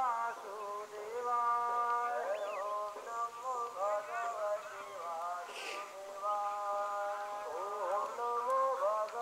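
Greylag geese give loud, nasal, trumpeting honks, several birds overlapping in a steady, droning chorus with drawn-out notes and quick broken cackles.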